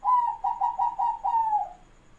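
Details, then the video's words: Caged zebra dove used as a lure bird, answering an opponent. A quick stuttering run of short low coos ends in one longer, drawn-out falling coo. "BURUNG PERKUTUT PEMIKAT LAWAN CEPAT NYAUT IKUTAN BUNYI"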